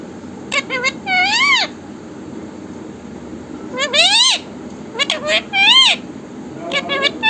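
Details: Talking parrot repeating the phrase "Mithu Radhe Radhe"; high, nasal, voice-like syllables with swooping rise-and-fall pitch, delivered in three short bursts over a steady low background hum.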